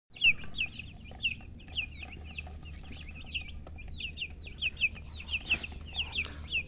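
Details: Baby chicks chirping, a hen in the recording; a rapid stream of high, thin, bent peeps repeated several times per second throughout, some louder and sharper, over a low steady hum.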